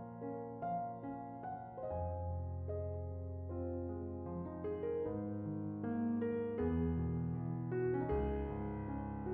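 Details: Gentle piano music plays throughout, a melody of repeated notes over a sustained low accompaniment, with no animal sounds heard.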